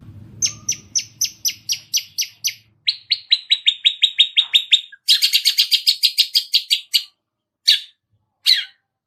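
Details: Long-tailed shrike practising chick-like calls it is learning: successive rapid series of high, clipped chirps, each series at a different pitch, ending with two isolated louder notes; faint low background noise at the start.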